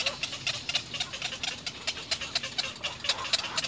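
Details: At a nest, little egret young call to their mother in fast, scratchy, clicking notes repeated in quick succession, high-pitched and steady in loudness.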